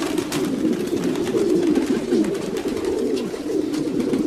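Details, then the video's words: Many domestic pigeons produce steady, throaty cooing, low bubbling phrases overlapping without a break, with light scratchy background noise. "Sounds of pigeons.Pigeons,domestic pigeons - pigeons sound effect.."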